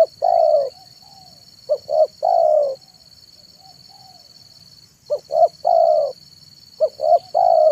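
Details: Afternoon manggung song from a spotted dove, played to lure wild doves. Three-part phrases of two short hoots and one long falling coo arrive in bursts separated by quiet gaps with soft low notes, a constant whine throughout.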